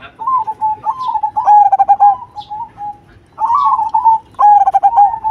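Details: Loud singing from a cemani zebra dove: several rolling, trilled coo phrases broken by a short gap, each ending on a steady clear tone, with faint high chirps behind.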